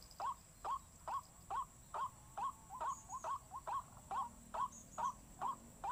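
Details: Repeated short upswept notes from a white-breasted waterhen, evenly spaced about two per second, with a brief cluster of quicker double notes midway through.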